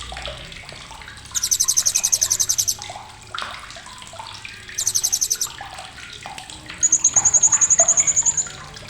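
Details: Blue-crowned hanging parrot uttering sharp chattering: three loud trains of rapid, very high pulses, about one and a half, one, and two seconds long, separated by quieter stretches of watery rushing noise.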